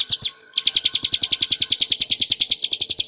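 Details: Bar-winged prinia (Prinia familiaris montana, ciblek gunung) in clear ngebren nembak song used for training cage birds: a short burst, a brief pause, then a rapid, steady run of sharp high chirps, about eight per second, with no other sounds.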